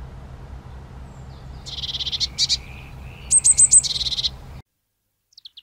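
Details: Eurasian nuthatch, Sitta europaea: a rapid chattering trill of high notes, then a short run of sharper whistled notes and another trill, over steady low background noise.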